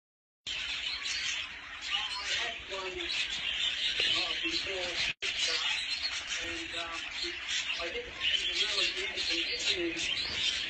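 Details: Budgerigars mating in the breeding season give a steady, scratchy warble of high chirps and squeaks running almost nonstop, with a brief gap midway.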